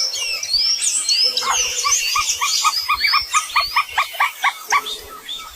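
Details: Several birds chirp together in the morning, high whistled upward sweeps overlapping, then a steady run of short clipped notes repeated about twice a second from the middle onward.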